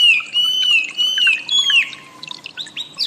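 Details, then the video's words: Wambi singing in a master recording meant to teach cage birds more varied song: a long sustained whistle bending slightly, then a falling slur and a few short buzzy chirps. "suara burung wambi || masteran audio pancingan"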